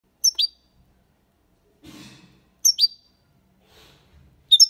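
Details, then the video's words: European goldfinch singing in the copia malaga style, used to stimulate young birds to sing; short high tinkling twittered phrases in pairs, repeated about every two seconds, with faint low rustling between them. "Cantó de Jilguero (copia malaga ) para Estimular niños pajaros/Chant de Chardonneret élégant"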